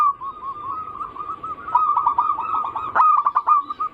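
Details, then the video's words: Zebra dove song meant to prompt other zebra doves: soft, evenly spaced coos build into a loud, rapid, bubbling trill with stuttered notes before settling back to gentle coos. "Pancingan burung perkutut paling ampuh penarik Bunyi semua jenis burung perkutut Anggungan"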